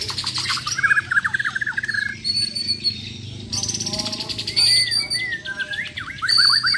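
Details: Fighting-contest Bornean White-rumped shamas deliver besetan and tembakan: rapid stuttering chatter and buzzy rattles, high shrill bursts and quick downslurred whistles, with some other birds' sounds mixed in.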